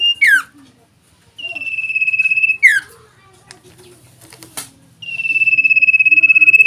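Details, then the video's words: Tame captive sooty-headed bulbul singing; sharp descending whistled notes alternate with long steady pulsed trills, clean and loud against quiet background. "Burung sirtu cipoh yang sederhana jinak dan gacor mulai bermental"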